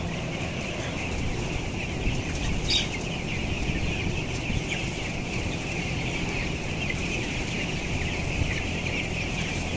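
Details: Broiler chickens aged 14 days, 525 grams, among 11,000 birds in a closed house, upper level; a thick wash of brief chirps with a few louder calls standing out, over a persistent low hum.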